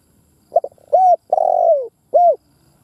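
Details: Spotted dove lure-bird phrase of the gáy, thúc and gù styles: two clipped notes, an even coo, an extended rough coo that slides lower, and a short arched last note, clean and close.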